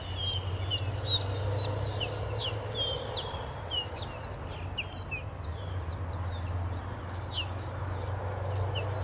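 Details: Grayish Baywings in spring, the southern-hemisphere breeding season, sing complex melodies in chorus, each bird at its own pace: quick bright chirps and short whistled notes overlap out of step over a steady low rumble of wind or distant traffic.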